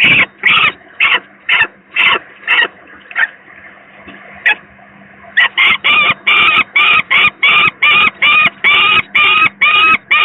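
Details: Young peregrine falcon at the PGE power plant nest site in Gdynia, Poland, 18 May 2023, the second youngster very unwell; loud harsh calls repeated roughly twice a second, a brief quieter break near the middle, then a steady faster series.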